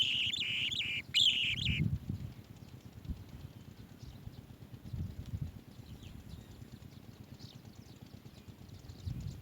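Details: Asian green bee-eater chick inside its nest cave, giving a harsh, buzzy, steady begging sound lasting under two seconds, briefly interrupted midway, followed by low rumbling thumps and faint scattered chirps.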